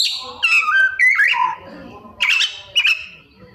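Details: Oriental magpie-robin singing copied 'isian' phrases: a descending series of clear whistled notes, then short rough bursts, with a faint low background hum.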